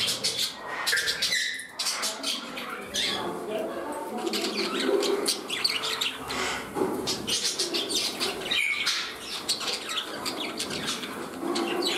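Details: Pet parrots settling into a new home, with one bird turning temperamental; steady mass of chirps and warbled notes, a brief flutter of wings partway through, chattering without pause.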